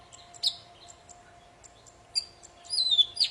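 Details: Poci song for coaxing quiet birds to sing: faint scattered chips at first, then a sharp note and a clearer high warbling whistle near the end, over a steady low hum.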